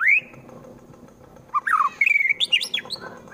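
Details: White-rumped shama (murai batu) from Wonosobo, Central Java, singing harsh 'tembakan' phrases meant to provoke rival birds into fighting: a rising whistle, a pause, then rapid sharp chirps and slurred whistled notes climbing high.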